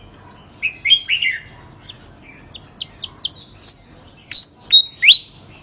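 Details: Varied warbling and chirps lead into a run of loud, evenly spaced piercing whistles from a songbird known for singing without pause and placing third in a contest.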